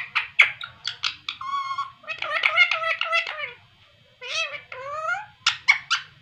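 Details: A pet talking parrot chatters in squeaky, voice-like phrases, with rising and falling whistled syllables between sharp clicking squawks at the start and end.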